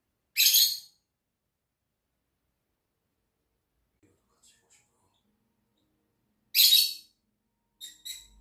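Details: Lovebirds kept together, giving short, harsh, high-pitched squawking bursts: one near the start, another around six and a half seconds, then two fainter chirps at the end, with near silence in between.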